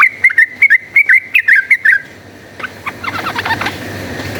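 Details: Yellow-vented bulbul in full, chattering fighting-style song, used as a lure to make other bulbuls combative: about two seconds of quick, bright warbled notes repeated almost three times a second, then fainter, noisier chatter.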